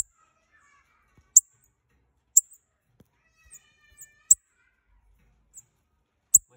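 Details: A calling bananaquit pair gives crisp, very high single chips at irregular intervals of one to two seconds, some louder and some softer, in a quiet setting.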